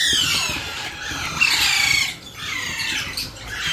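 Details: Hand-fed baby Alexandrine parakeet calling in a continuous grating, hissy screech that wavers and dips, with a short lull before resuming.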